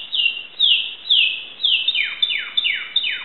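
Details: Timbrado canary from Greece giving a slow series of loud, clear, descending whistled notes, about two per second, each sliding down steeply.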